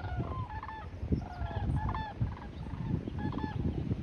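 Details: Sandhill cranes on their way south for winter, recorded 19 January 2024, gawking loudly: a flock's overlapping rattling, bugled calls come in quick rolling bursts throughout, with deep background rumble.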